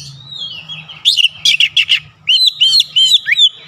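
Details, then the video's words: Oriental magpie-robin (kacer) singing to challenge a rival: a bright whistled phrase, then two groups of loud, quick, buzzy chirps and looping whistled notes, with a faint low hum underneath. "PANCINGAN KACER LANGSUNG GERTAK LAWAN | LAWAN PUN BALAS GERTAK"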